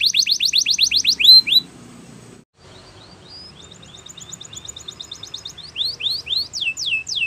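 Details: Spanish Timbrado canary training song: a rapid trill of falling notes, a near-silent pause, then thin high whistled phrases building into repeated downward-sweeping notes.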